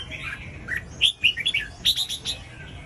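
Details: Red-whiskered bulbul song used to stir other bulbuls into singing: a quick run of bright, chirpy notes, short warbled phrases rising and falling between mid and high pitch, with brief pauses; faint room hiss beneath.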